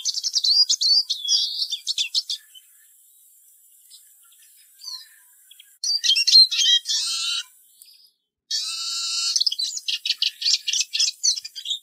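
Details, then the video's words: Bursts of rapid high twittering from a Eurasian siskin separated by quiet pauses, including harsh buzzy wheezes and strings of quick chirps. "EURASIAN SISKIN SONGS Spinus Spinus Singing"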